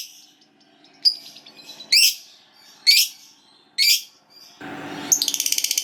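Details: Lovebird voice: a few separate harsh, rasping high squawks a second apart, then a quick buzzy chattering trill, over a soft low background hum.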